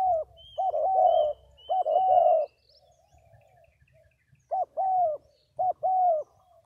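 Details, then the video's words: Spotted dove giving paired hoarse coos, short then longer, with a pause midway; high thin whistled notes from another bird sound early on. "Cu gáy 67"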